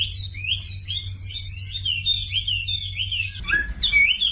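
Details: Sumatran leafbird singing, used as a tutor recording meant to get quiet birds to join in: rapid looping whistled notes, rising and falling in even succession, then a harsher, scratchier flourish near the end over a low background hum.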